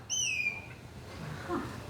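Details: A drongo in Zambia, calling near a predator or cuckoo model instead of attacking it, gives a single clear, high whistle that slides gently downward for about half a second, mimicking a grey hornbill. A soft low rumble follows.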